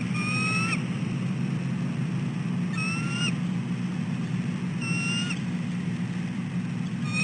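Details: At dawn on 4 December 2013, a female bald eagle calls again and again for a nest shift change: four high, clear, rising whistled notes about every two seconds, over a steady low hum.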